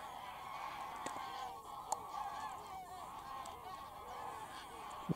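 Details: Geese massing at Wicken Fen, Burwell Fen, on an evening in September 2016 while taking off and landing; distinct arched honks stand out over a dense background chorus of the flock.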